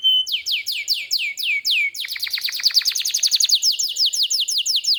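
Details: Vigorous canary song used to tutor young canaries and stimulate silent ones: a run of clear downward-sliding whistles, then a faster dense series of sweeping notes repeated several times a second.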